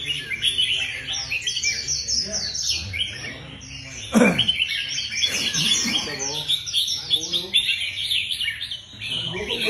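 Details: Several red-whiskered bulbuls in singing-contest training sing over one another in a dense stream of bright, chirpy, rapid phrases. A couple of low thumps and faint voices come through in the middle.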